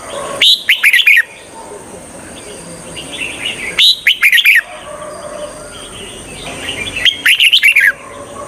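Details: Red-whiskered bulbul (Pycnonotus jocosus) song used as a lure call to attract wild bulbuls: three short, bubbly, chirping phrases, one about every three seconds, over a faint steady high hiss.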